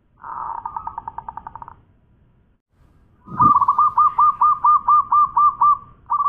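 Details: A champion local zebra dove sings a pulsed, vibrating coo, then a dull thump, followed by a long, even series of about a dozen rapid rolling notes and the start of another phrase.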